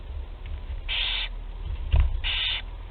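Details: Barn owl chicks, first feeding at Théding, 8 July 2020: two drawn-out wheezing hisses separated by a brief thump, over low hum.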